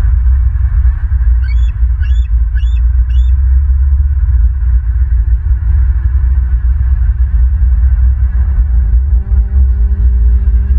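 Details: Bald eagles in Southwest Florida, recorded 27 May 2023 at 15:49: a quick run of four high, thin, piping notes, each with a slight upward inflection, over a heavy low rumble of wind or microphone noise.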